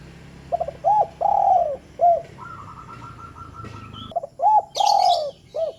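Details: Spotted dove short call for prompting lazy doves: two cooing phrases of stuttered starts, arched and long falling coos and clipped endings, separated by a steady buzzy tone, with a high chirp burst later.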